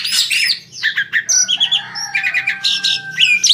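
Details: Asian pied starling, noted for luring other birds to sing: scratchy chattering notes and buzzy phrases over a sustained thin whistle-like tone, with a faint low hum underneath.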